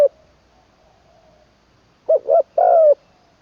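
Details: Decoy spotted dove under training in Isan, Thailand, third session, crowing ขันลงกุกวัย style: a single low phrase of two short hoots followed by one long, slightly falling coo after a quiet pause.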